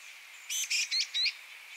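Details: Black-capped chickadee (Poecile atricapillus) at a nest as a youngster fledges gives four short, buzzy, high notes in quick succession over about a second, against a faint background hiss.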